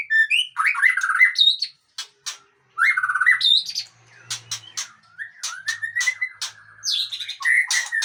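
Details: Long-tailed Aceh white-rumped shama singing loud rich warbled phrases, separated by a brief pause, then many sharp clicking notes and rising whistles; faint low hum at times.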